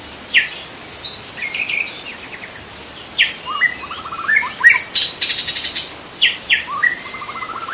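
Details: White-rumped shama singing in the wild, mixing sharp chips, short whistled notes and several fast rattling trills, with a persistent high-pitched insect chorus throughout.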